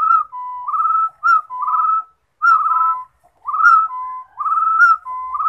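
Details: Singing rufous-throated partridge giving a run of fluty whistles, paired rising notes and held tones alternating at slightly different pitches, phrases close together with short pauses; nothing else audible.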